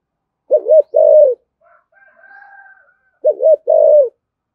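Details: Spotted dove giving 'thổ thúc gù' coos to provoke wild doves: two low phrases of a wobbly double note and a held coo, with a faint thin whistled tone between them.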